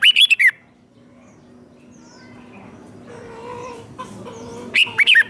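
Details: Training recording of a captive red-whiskered bulbul's fighting song: a quick whistled burst opens, quiet low hum and faint tones fill several seconds, then another lively looping phrase closes.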